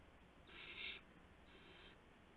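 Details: Young owls at the nest in the early hours of March 19, 2016, as adults arrive with prey. A loud half-second rasping hiss, then a softer, longer hiss a moment later, over a faint hum.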